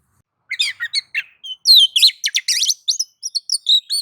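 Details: White-rumped shama singing in nagan and ngobra modes to provoke rival shamas: a varied, chattering run of quick chirps, sharp upsweeps and whistled notes, densely packed and changing pitch over four seconds.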